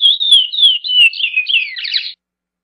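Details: Praia-style song of a chestnut-bellied seed finch: several clear descending whistles run together, ending in a brief buzzy, scratchy flourish before the song stops abruptly.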